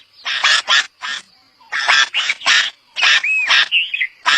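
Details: Harsh, scratchy calls of a red-vented bulbul delivered in irregular clusters of rasping bursts, with a short upslurred whistle slipped in near the end.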